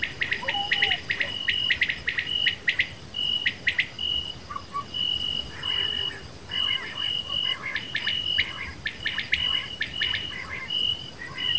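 Common quail calling in quick, high, liquid pulses, phrases repeated in bursts over a thin, steady high ringing, with faint lower chirps in places.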